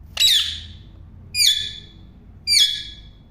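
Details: Parrot uttering three harsh, bright squawks about a second apart, each a short rasping burst with a falling tail, in a quiet room.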